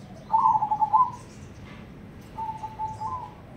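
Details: Black cemani-coloured crossbred zebra dove singing in Ketekdobel rhythm: a loud run of rapid, throbbing coos, then a softer, drawn-out cooing phrase at steady pitch. Faint high bird twitters are heard behind.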